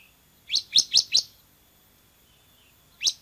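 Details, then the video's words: Ciblek semi (bar-winged prinia) gives four quick, sharp, high chirps in a short run, then pauses before a single similar chirp. "MASTERAN CIBLEK SEMI GACOR VOLUME TEMBUS"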